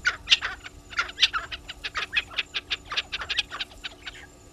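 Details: Spurfowl calling at Gowrie dam waterhole, Djuma Game Reserve, Sabi Sand Wildtuin, South Africa, 10 July 2021 at 16:54, live waterhole cam; a fast series of harsh, scratchy cackling notes, roughly a dozen bursts running together, with a faint steady hum beneath.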